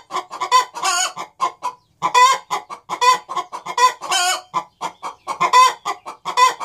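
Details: Two hens cackling in a duet on the nest box, not yet having laid, a dense stream of staccato clucks punctuated by repeated long raspy squawks.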